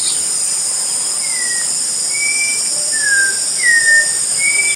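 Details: Orange-backed Troupial in Brazil giving clear, slurred whistles, some rising and some falling, roughly one a second, over a steady high insect drone.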